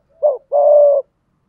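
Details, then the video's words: Decoy spotted dove singing in the 'giọng thổ' style, played to lure wild doves into cooing: one mellow phrase, a short hooted note followed by a longer, steady, slightly falling coo, with silence around it. "cu gay giong tho cuc dinh mở là 100% bổi gáy"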